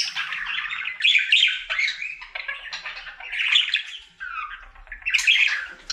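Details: Singing pet budgerigar, male, in his everyday routine: rasping, chattering warble phrases of about a second each, mixing squeaky whistles and grating notes, separated by short gaps.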